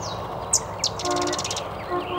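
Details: Sedge wren singing at Chikaming Township Park, Berrien County, southwest Michigan: two sharp, high chip notes, then a fast, dry, chattering trill under a second, with a faint downslurred whistle and steady background hum.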